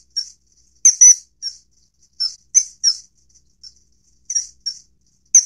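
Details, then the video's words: Common kingfisher uttering shrill, high-pitched whistled calls in bursts of one to three notes, separated by short pauses, on a clean quiet background. "翠鳥/Common Kingfisher"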